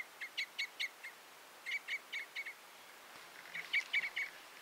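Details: Red or Common Crossbill giving bursts of four or five sharp chips, then a louder, blurred run of overlapping notes near the end.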